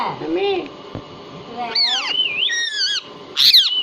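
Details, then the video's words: Hindi-talking pet parrot making a soft low arched sound, then a loud swooping harmonic utterance with wavering pitch, ending in a sharp high squawk, against steady room noise. "Hindi Speaking And Talking Parrot"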